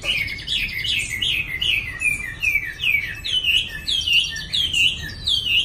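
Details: A recently acquired caged Chinese hwamei (Garrulax canorus), kept in a small cage, sings a fast, continuous run of loud, slurred whistles, each phrase sweeping up and down in pitch, with a faint low rumble behind.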